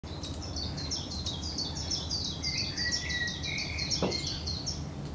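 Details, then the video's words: Cetti's Warbler (Cettia cetti cetti) in Uitkerkse Polder, Belgium, April 2017, giving loud, rapid bright notes tumbling together in a fast chattering burst, some dropping lower mid-phrase, over a steady low background rumble. "Bouscarle de Cetti (Cettia c. cetti) Cetti's Warbler"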